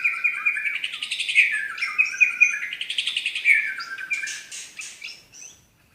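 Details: Murai batu medan (white-rumped shama) pours out a rich tembakan phrase of rapid rolling whistles rising and falling, then a few fainter chirps fading away.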